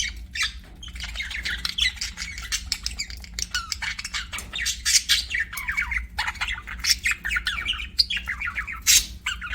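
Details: Dense, continuous chattering of budgerigars: fast, scratchy chirps and warbles tumbling over one another, with a low hum beneath.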